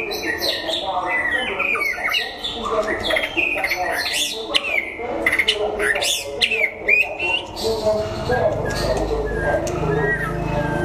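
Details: White-rumped shama, Đắk Lắk, Vietnam, contest singing while sunning: rich sequence of varied whistles and sharp chips, sometimes sweeping upward, with a low rumble of background noise rising toward the end.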